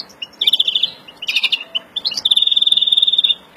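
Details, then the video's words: Excited (breeding-condition) European greenfinch, mutation bird, singing: rapid twittering trills around a high pitch, a brief burst of mixed notes, then a long fast even trill. "Kızgın flurya kuşu üretim ötüşü"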